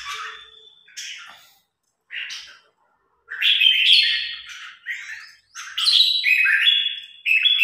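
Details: Red-whiskered bulbul, newly acquired and in training, singing against a top provincial-ranked bulbul: clear whistled phrases, slurred and warbling, in bursts with brief silences, with one long steady note near the start.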